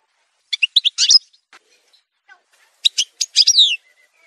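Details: Algerian goldfinch (parva) giving two short bursts of sharp, tinkling notes separated by a quiet gap of about a second and a half, with faint stray notes between; montage song recording for tutoring birds.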